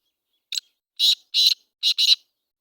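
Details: Black francolin calling in Sindh, Pakistan: a short burst followed by four harsh, scratchy notes, the last two closely paired, over about two seconds against a silent background.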